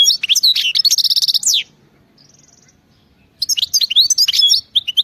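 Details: Wild European goldfinch song: sweet twitters run into a fast, buzzy trill, then a high thin note. After a short silence comes a fresh burst of tinkling chirps and quick slurred notes.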